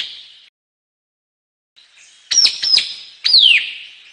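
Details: A brief White-capped tanager phrase: a faint note, a pause, then sharp clipped whistles and one long shrill downslurred note, with nothing else audible.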